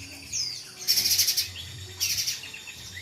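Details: Little spiderhunter and mountain spiderhunter, locally pijantung pisang and pijantung gunung: two quick bursts of rapid, piercing high chips, with soft thin slurred whistles in between and a low steady hum underneath.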